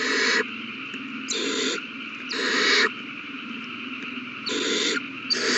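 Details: Owl chicks being fed a big meal, all of them eating well, recorded 27 March 2020: a steady raspy hiss throughout, swelling into louder harsh bursts about every one to two seconds.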